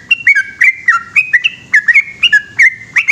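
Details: At night a yellow-vented bulbul pours out its long 'gacor ropel' song, a rapid chain of sharp whistled notes that slide downward, delivered in steady quick succession.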